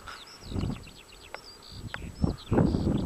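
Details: Eurasian skylark singing at Adderstonelee near Hawick: a rapid, high stream of chirrups, trills and short whistled slurs, partly masked by gusty low rumbles.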